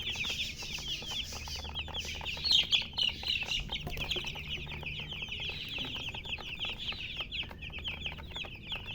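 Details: Flock of baby chicks peeping about four times a second, thin high chirps blending into a busy chorus, with a louder burst of calls early on and low hum.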